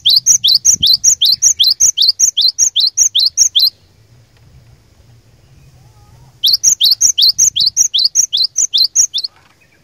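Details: Vigorous glatik batu song aimed at rousing other tits to sing: a long steady train of ringing paired notes, about two and a half per second, a quiet gap, then another train.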